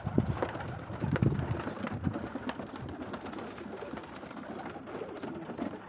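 A Shirazi pigeon gives low, soft cooing notes in short bursts during the first two seconds.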